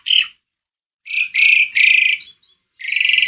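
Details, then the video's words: Asian pied starling singing, used to prompt another bird: a short harsh note, then three rasping buzzy bursts in quick succession and a final grating burst after a pause. "Kicauan burung jalak suren gacor"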